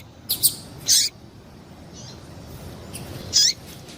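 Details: Female double-collared seedeater calling, a call breeders use to excite and stimulate males; a few short, high, sharp chirps spaced across the seconds, with a faint slurred note between them against a quiet hiss.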